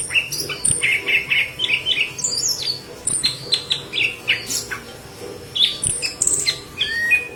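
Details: Intensely singing yellow-headed leafbird used as tutor material for green leafbirds: a fast, unbroken stream of varied high chirps, twitters and squeaky whistles, phrases tumbling one after another with a low background hum.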